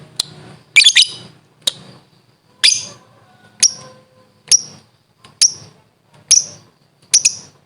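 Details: Talkative lovebird, a fighter-type training recording, in the 'ngekek' style: sharp, high chirps in an irregular series about once a second, with one denser double burst near the start. There is a faint low hum.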